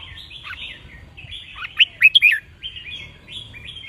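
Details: Song of the red-whiskered bulbul, played as a lesson for young birds, counted-phrase type; gentle warbling chatter, then a sudden run of four or five loud liquid whistled notes before the chatter resumes.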